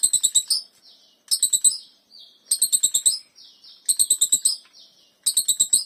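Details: Mastersn lovebird in exotic style giving the long ngekek: five fast bursts of shrill, buzzy ticking notes, each under a second, separated by brief thin whistled trills, with no other sounds.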